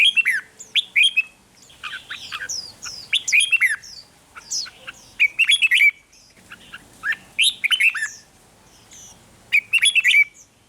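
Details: Red-whiskered bulbul song from Thailand, played to excite caged birds: bright chirpy phrases of quick warbled notes, rising and falling, in bursts every few seconds with short pauses between.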